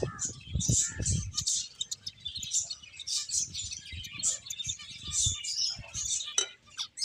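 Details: Finches at play chatter continuously with bright, high-pitched chirps in quick succession, punctuated by occasional sharp clicks and low bumping sounds.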